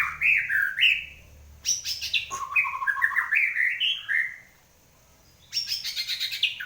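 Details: White-rumped shama singing energetically after its moult: repeated phrases of fast, jumping whistled notes that climb in steps, interspersed with high rattling flutters and a short quiet gap.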